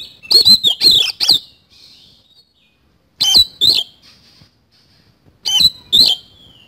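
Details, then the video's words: Active Oriental magpie-robin delivering isian kasan song: short clusters of two to four loud whistled notes with harsh edges, spaced by pauses with faint trailing whistles. "BURUNG KACER GACOR ISIAN KASAN"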